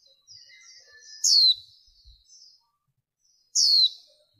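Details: Female warbling white-eye, lure audio with noise trimmed away: soft high twitters lead into a loud, steeply falling note, then after a pause a second identical descending note.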